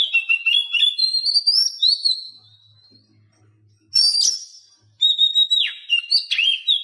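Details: Captive Oriental magpie-robin song, played as a tutor to make silent or lazy caged birds sing: loud whistled phrases sliding between high and lower pitches, broken by a two-second pause and a faint low hum, then sharp rising notes and more whistles.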